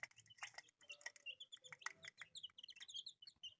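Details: Colourful pet chicks peeping: a dense stream of short, high chirps, many overlapping, with a few brief lower notes in between.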